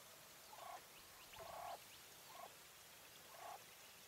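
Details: Female English White Coturnix quail hen calling: four short, soft, nasal notes spaced about a second apart, the second longest, over steady background hiss.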